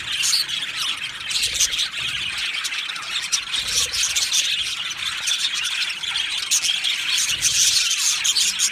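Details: Male budgerigars chattering in an aviary colony, recorded 8 December 2025. Dense high chirping and squawking swells slightly louder toward the end, with many voices overlapping throughout.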